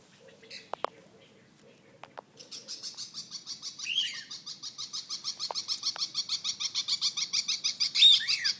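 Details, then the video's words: Pet lovebirds, territorial and hostile towards other birds: a few sharp clicks and low hums at first, then a fast, high-pitched scratchy chatter builds steadily, pulsing several times per second and growing louder to the end. "Love bird gangster"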